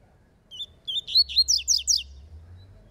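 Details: Double-collared seedeater singing in a song dispute: a quick, high phrase of a few thin whistled notes, then a rapid run of five bright, buzzy upslurred notes.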